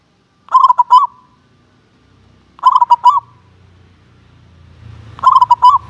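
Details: Local zebra dove of contest class, a frequent champion, calling: three short stuttering phrases of rapid mellow coos ending in a trill, spaced about two to three seconds apart, with a soft low rumble between them.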